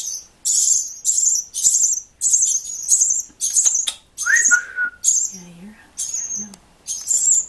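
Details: Hand-fed baby birds rescued from a nest placed in a machine, species unknown, calling loudly for food: repeated piercing high squeaky bursts in quick succession, plus a short human whistle and soft low voice sounds.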